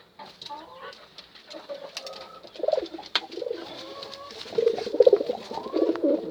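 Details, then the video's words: Pigeon calling to a female: low, rounded coos that grow louder and more frequent in the second half, mixed with sharp clicks and thin, higher chirping sounds. "Suara Burung Merpati panggil betina"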